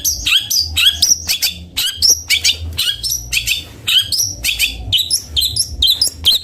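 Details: Long-tailed shrike (cendet bondol) in rapid varied song, a dense string of high chirps, trills and whistled slurs repeated in quick succession over a low hum.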